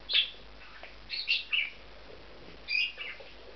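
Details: A pair of bonded male budgerigars settling into a nest inside an aviary compound, giving quick high chirps and chattering squeaks in short clusters, a couple of bursts close together followed by a pause and another pair.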